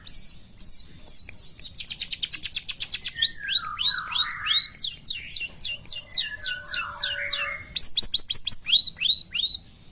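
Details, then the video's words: Cendet Pastol, a Long-tailed shrike, sings in the morning: a rapid rattling trill of repeated high notes breaks into varied downward-swooping whistles and chattering phrases, busy and continuous, with a faint low whistle beneath. "kicauan Burung Cendet Pastol di pagi hari"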